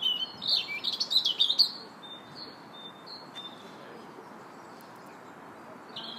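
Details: A robin sings in a park in early March, with a burst of fast, jumbled, high twittering notes in the first two seconds, then faint, thin, drawn-out whistles with quiet gaps between.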